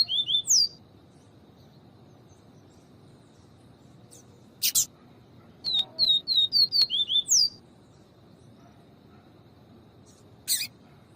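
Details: Papa-capim seedeater in viviti song, with a female calling to warm up the male: bright repeated downslurred whistles ending in a rising slur, plus brief sharp clicks between phrases.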